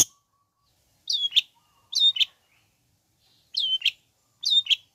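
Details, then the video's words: Long-tailed shrike song used to rouse sluggish shrikes into singing along: four bursts about a second apart, each a sharp downslurred whistle followed by a harsh clipped note. "Bikin Cendet Loyo Kurang Emosi Agar Segera Terpancing Emosi &Ikut Bunyi"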